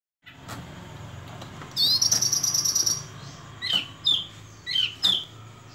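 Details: Sunda robin singing: a high, rapid buzzy trill held for about a second, followed by several sharp, slurred chirps spaced apart, over a faint low hum.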